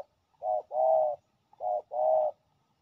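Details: Aggressive male spotted dove defending its ground against a decoy, two pairs of low hollow coos, each a brief note followed by a longer smooth one.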